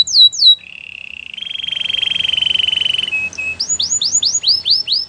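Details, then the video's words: A white canary gives a few falling whistles, then a steady rattling trill lasting over two seconds. The song ends with a run of arched whistled notes that rise and fall, repeated several times per second. "White canary singing"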